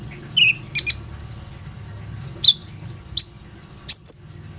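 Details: Plain-throated sunbird calling to lure other sunbirds into song, recorded on an Oppo A37f phone. Sparse, sharp high chirps and slurred whistles over a low background hum.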